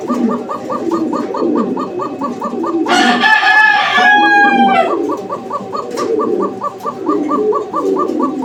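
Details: A pair of Koka pigeons, one a female, in Uttara, Dhaka, 11/05/2025: steady, rapid run of short hoarse notes, about three each second; a rooster crows loudly partway through, over a noisy background.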